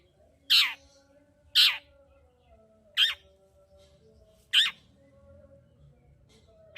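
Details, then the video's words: Long-tailed shrike lure aimed at provoking a silent shrike into song: four loud, harsh, scratchy squawks at irregular gaps of one to one and a half seconds. "Pancingan Cendet Gacor Untuk Menaikkan Emosi Cendet Malas Bunyi"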